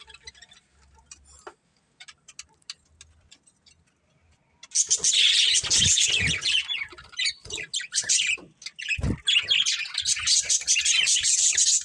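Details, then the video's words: Breeding pair of budgerigars: faint scattered ticks for the first few seconds, then a loud outburst of dense, buzzy, high chattering chirps, with two sharp thuds. "Cute Budgies Chirping Sounds"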